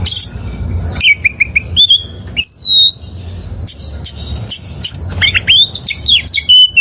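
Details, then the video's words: Oriental magpie-robin from the wild, singing for a caged-bird training recording: repeated short whistles, a long drawn-out sliding whistle, spaced single high notes, then a fast run of twisting slurred phrases, with steady low hum beneath. "Masteran Suara Burung Kacer Liyar"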